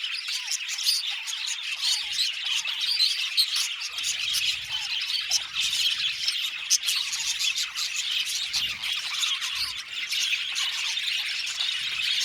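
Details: Flock of budgerigars in an aviary, continuous high chattering with raspy squawks and thin chirps crowding together, faint low rumbles beneath.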